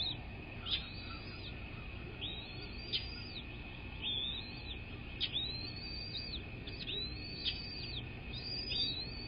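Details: Bald eagle at its nest on a live nest cam with a nesting pair, early morning of 10 February 2024 at 06:32. Rapid series of high, arching, piping whistles form chattering runs, over a constant background hum.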